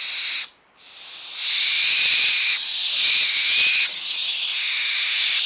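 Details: Young barn owls (Tyto alba) begging while being fed, giving long, harsh, snoring hisses, several overlapping in near-continuous bursts broken by a brief pause.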